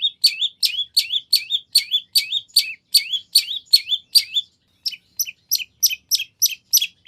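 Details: Repeated phrases from a long-tailed shrike's lure song, played to draw a reply from another shrike: a regular run of hooked, twisting whistle-chirps roughly every third of a second, then thinner high ticks.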